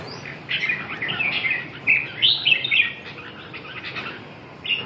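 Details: Red-whiskered bulbul singing a chain of warbled, slurred whistled notes that rise and fall, louder in the middle, over a constant hissing background.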